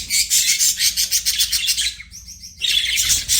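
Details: Pet budgerigar chirping: dense bright warbling chatter, a brief pause with a few soft repeated notes, then chatter resumes, over a low background rumble.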